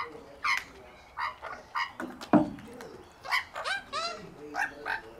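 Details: Hungry Australian magpie family eating peanuts in Melbourne; short harmonic yelps and rising squawks, several birds calling in quick irregular succession, with a loud low thump midway.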